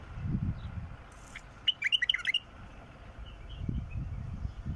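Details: Wild bulbul giving one quick, liquid phrase of several clear whistled notes that rise and drop, between stretches of low rumbling noise.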